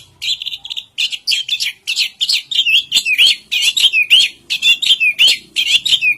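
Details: Song of an orange-headed thrush, known locally as anis kembang: a fast, steady run of bright chirps and whistled notes, many with a slurred upward or downward twist, pouring out almost without pause.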